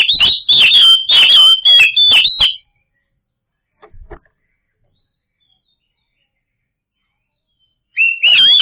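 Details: Oriental magpie-robin song used as a lure to make silent birds sing: loud, high whistled phrases with sharp clicking notes for over two seconds, a long silence, then a rising whistled phrase starting again.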